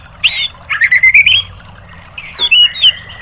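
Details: White-rumped shama song for training caged birds, here a few slurred rising whistles and a scratchy warbled phrase with a pause between, over a low background hum.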